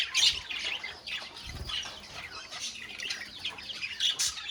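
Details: A colony of budgerigars producing an unbroken, high chattering warble of many overlapping voices, with occasional sharper squeaks standing out at the start and end.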